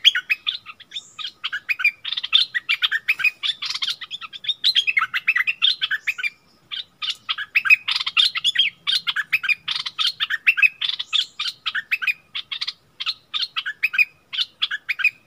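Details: Extended bulbul singing duel with a wild bird, 27 March 2021; a long run of fast, busy chirping and warbling, briefly interrupted around the middle, then resuming just as intensely.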